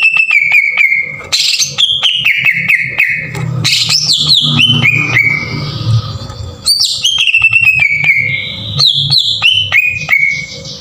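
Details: Green leafbird in rough, aggressive song, recorded as a lure to make other leafbirds sing. Clicking attacks lead into sustained whistles, then buzzy upslurred phrases and rapid chattering runs, with a steady low hum beneath.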